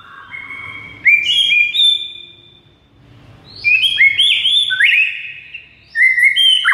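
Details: White-rumped shama singing a master song meant to stir silent shamas into excited, nonstop singing: long clear whistled notes rising and stepping between pitches, delivered in two bursts separated by a quiet pause, over a faint low hum.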